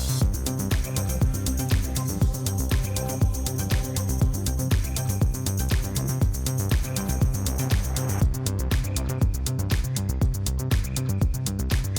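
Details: Steady electronic dance music with a pounding beat and bass, and no animal sounds.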